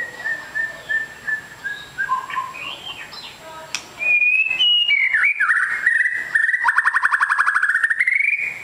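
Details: White-rumped shama with a long tail, kept as a fighter bird, giving a varied whistled song: soft scattered notes at first, then a loud sustained rapid trill of buzzy repeated notes that climbs slightly in pitch toward the end.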